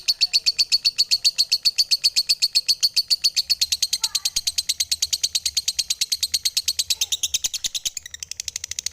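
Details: High-pitched lovebird song: a rapid, steady stream of buzzy chirps that keeps going through the whole stretch, slightly shifting in pitch toward the end.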